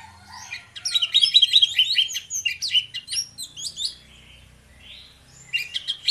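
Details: Two orange-headed thrushes in full open 'ngeplong' singing style, used as a lure to prompt other birds to sing: a rapid run of rich, varied whistled and warbled notes, a quiet pause, then a fresh burst of high phrases.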